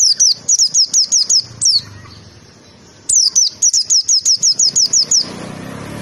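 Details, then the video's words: White-eye tembakan phrases recorded as masteran for training: two rapid volleys of high, down-slurred notes separated by a pause of over a second, with soft background rumble. "Tembakan pleci paling edannn masteran"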